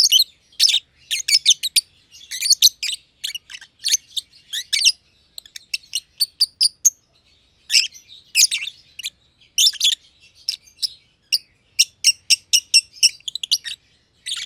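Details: Companion lovebirds, a young green personata and an older green pied personata, chirping at length in an aviary: dense runs of sharp, shrill chirps in rapid series, broken by short pauses.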